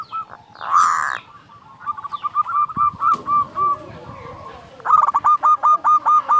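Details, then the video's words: Local zebra dove with a loud voice, used as a lure to provoke other zebra doves to sing: a harsh loud burst, then rolling cooing phrases of short repeated mid-pitched notes, ending in a strong regular series of about eight notes. "Perkutut lokal gacor SUARA BESAR pancingan burung perkutut agar bunyi"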